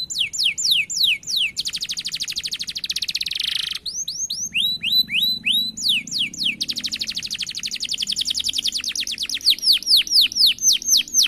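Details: Lively canary pouring out a long rolling song: quick falling whistles, a sustained buzzy trill, more sweeping notes, then an extended fast roll of evenly spaced notes and closing descending whistles.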